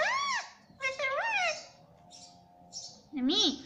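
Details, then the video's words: Ringneck parrot, a pet, talking "mummy": arched harmonic voice-like syllables, a pause with faint high chirps, then a final rising-falling word. "Mummy Mummy bolne wala tota _ Parrot Talking Mummy Mummy _ Talking Parrot"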